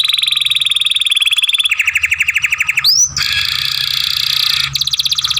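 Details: Young canary singing masteran training song, long grumbling sounds: dense buzzy rattling tours, one brief upslurred whistle in the middle, then an unbroken harsh trill.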